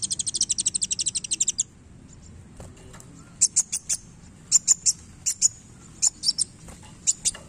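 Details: A sunbird in vigorous song with tail movement opens with a rapid, even trill of high notes lasting over a second, pauses, then gives separated sharp chips in pairs.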